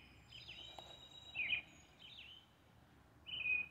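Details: European robin's early evening song, heard as brief high thin phrases, a quick downslurred whistle then short wavering notes and a final sustained high trill, separated by pauses over a faint steady high hum.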